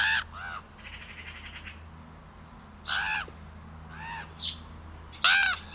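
A crow gives harsh, nasal caws, about five in six seconds at uneven spacing, with a raspy drawn-out note early on; a low steady hum runs underneath.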